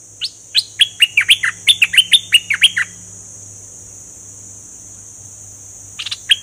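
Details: Caged bulbul with fully grown plumage, singing in a doubled style: about a dozen quick, chirpy notes that rise and fall over three seconds, then a pause and a brief burst near the end, over a steady high hiss and a low hum.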